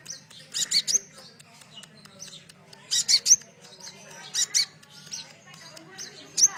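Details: Sunbird song meant to stir captive birds to sing, cililin-style phrases included: bright high chirp clusters repeat roughly every one and a half seconds, separated by quieter twitters.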